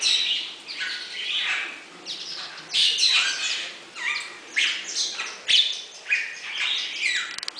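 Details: Bali myna kept at Avifauna bird park, Alphen aan den Rijn, the Netherlands, giving a steady series of loud harsh squawks and chattering notes, roughly one burst every half second to second, with no other clear sounds.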